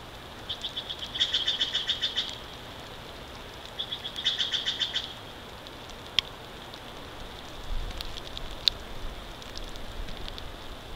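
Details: Wild bald eagles at a nest in Big Bear Valley, recorded on a live nest camera on March 29, 2023 at 09:40. Two bursts of rapid, high piping notes, about eight per second, then quiet hiss with a few faint clicks.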